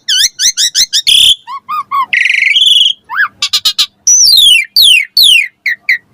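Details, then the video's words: Song of a Javan pied starling used to lure and train young starlings: repeated looping whistles, soft low hooked notes, a buzzy burst, a rising whistle and long descending slurred notes. "Pancingan Jalak Suren Auto NYAUT RESPON Mompa Gacor Full Isian Buat Masteran Suara Burung Jalak Muda"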